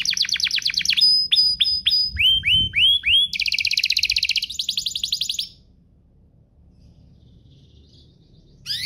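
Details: Pair of vigorously singing canaries, used as a lure and tutor song for young canaries: series of quick descending sweeps, then repeated rising whistles and a bright buzzy trill, followed by about three seconds of quiet before singing resumes.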